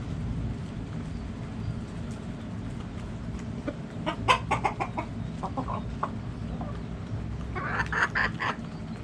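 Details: Backyard hens clucking: a quick run of sharp, clipped clucks in the middle, then a louder, broader squawking cluck near the end, over a constant low hum.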